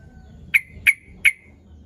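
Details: Sooty-headed bulbul calling to lure rival birds, giving three crisp, explosive 'cuk' notes evenly spaced about a third of a second apart over a soft low hum.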